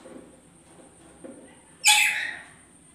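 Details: Two lories kept together as a pair; after faint low sounds, one loud, harsh, broadband screech bursts out and fades over about half a second, over a thin constant high-pitched hum.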